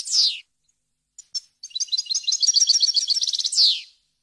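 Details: Goldfinch tutoring song for young birds: a buzzy downslurred note, brief scattered chips, then a fast high rattling twitter ending in another harsh descending buzz, no background noise.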